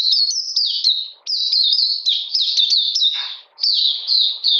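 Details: Oriental magpie-robin in cold rainy weather, 13 June 2020, delivering clear whistled phrases of sliding notes, split into bursts by two short pauses, with a harsher note midway.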